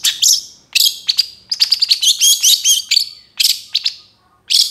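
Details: Long-tailed shrike, a young bird in moult, singing energetically with a full repertoire of phrases. Loud, high, bright bursts of chirps and trills with short whistled notes, separated by brief pauses, in a clean, quiet recording.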